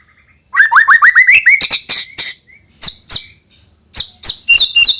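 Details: White-rumped shama song for luring young birds to sing: after a quiet start, a quick string of rising whistles, then harsh buzzy strokes and spaced high sharp chirps.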